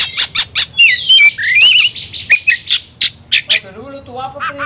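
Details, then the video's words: Provoked Oriental magpie-robin in fighting ngobra mode: evenly spaced loud chip notes, a rising wavering whistle and more chips, ending with a softer, lower wavering whistled phrase. "membakar emosi kacer, kacer gacor tarung ngobra"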